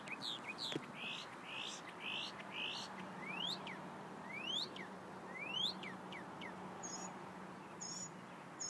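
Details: Mockingbird singing one morning, running through varied phrases: sharp rising and falling whistled sweeps, buzzy clustered notes and high thin whistles, each phrase different, over a steady low hum.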